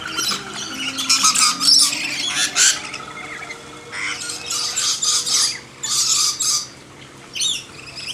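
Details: Lorikeets hand-fed in a backyard, with a galah arriving, give harsh, rasping screeches in rapid overlapping bursts as several birds squabble, after something scared them off and they return; faint low hum.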